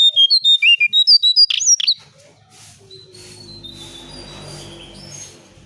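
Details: Brown shrike calling, a recording used to lure birds: a rapid run of about fourteen sharp, high chirping notes in the first two seconds, then near quiet with a faint low background hum.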